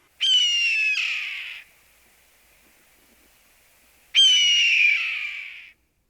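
A Red-tailed Hawk gives two hoarse, drawn-out screams, each about a second and a half, with a faint steady hum between them.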